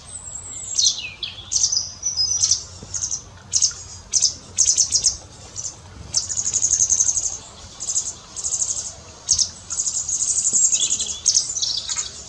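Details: Pied wagtails feeding fledglings in a garden give very high, thin, buzzy calls in short bursts and longer trilled runs, with brief gaps between them; faint low background noise.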